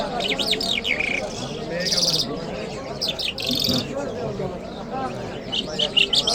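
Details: Lark singing in Kabul city on a Friday morning: short bursts of high chirped and slurred notes with buzzy segments, separated by brief pauses, over a constant low murmur of voices.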